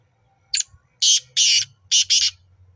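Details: Black francolin, locally Kala Teetar, recorded at Nawabshah: five harsh, grating broadband notes, a short single note followed by two close pairs of longer rasping bursts, over a faint low hum.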